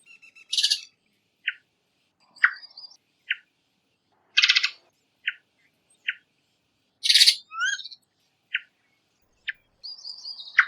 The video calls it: Varied Thrush Call